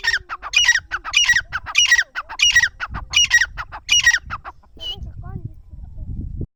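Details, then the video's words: Partridge (teetar) giving loud, harsh, grating squawk notes in rapid rhythmic bursts roughly twice per second for about four and a half seconds, then a brief higher note before falling quiet, leaving low rumbling background noise. "teetar ke awaz"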